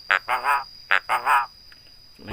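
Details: Talking Javan myna, trained to copy human greetings and coughs, repeats a speech-like phrase twice: a sharp short syllable followed by two longer, rich, voice-like syllables, against a steady high hum.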